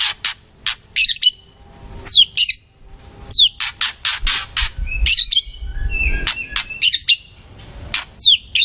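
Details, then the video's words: White-rumped shama lure song meant to draw out a reply: sharp clicks alternate with short downward-swept whistles, repeated in spaced bursts over a low rumbling background. "Murai batu,Pancingan murai macet pasti nyaut"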